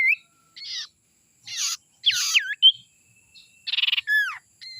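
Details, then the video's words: Young wild sirtu from the forest, sound used to lure wild birds: scattered buzzy bursts mixed with clear looping whistles and a rapid trilled rattle, separated by short silences. "suara sirtu muda hutan ini suara ampuh pancingan"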